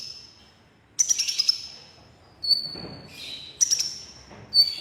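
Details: Red-breasted crimson sunbird (konin) in lively song: a few scattered bursts of very high, thin chirps and brief ticking trills, separated by quiet pauses.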